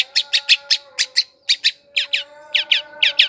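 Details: Long-tailed shrike song as a lure for wild birds. Loud, harsh, scratchy chattering notes come in pairs and short runs, a few buzzy, over a faint continuous hum.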